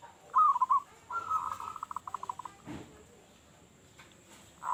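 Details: Local zebra dove with a big voice, used as a lure for other doves: a short warbled phrase, then a steady coo breaking into a fast series of clipped notes, another coo starting at the end.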